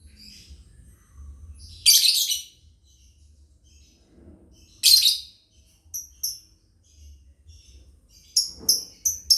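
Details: Lovebirds of a family group chirping, a master sound for training: two loud harsh high bursts three seconds apart, then thin piping notes and a quick run of rapid chirps at the end.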